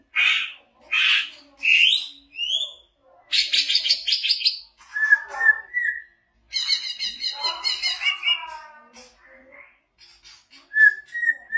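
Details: Vigorous greater green leafbird song, the bird a large one from Banyuwangi used as a competition tutor: rapid varied chirps, upward-swept notes, buzzy harmonic rattles and short whistles in quick succession, with faint background murmur.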